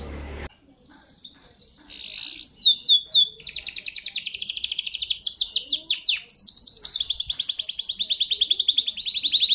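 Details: A local canary sings after a brief burst of noise. Scattered high notes build into long, fast rolling trills of repeated sweeping notes, growing louder and steadier toward the end.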